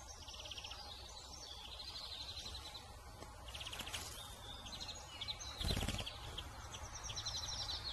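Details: Song thrush in spring, at its nest while incubating eggs, with bright whistled song phrases in short bursts over a steady low rumble and a brief rushing noise near the end.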